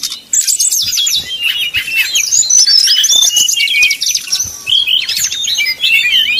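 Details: Brown-chested Jungle Flycatcher in nyuling, flute-like song used to heat up rival birds. After a short quiet start, a rich run of high whistled notes, slurs and fast trills continues steadily to the end.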